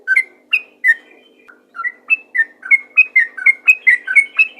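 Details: Yellow-vented bulbul singing in lively 'ropel' style to lure other bulbuls into singing: bubbly whistled notes, rising and falling, sparse at first and then packed into a quick chattering run.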